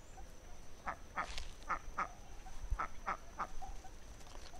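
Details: Ducks with ducklings: a loose run of seven or eight short, soft quacks, fairly evenly spaced, against low rumbling background noise.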